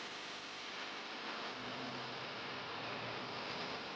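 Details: Constant broadband hiss with faint rustling and a low hum underneath, and no animal calls to be heard.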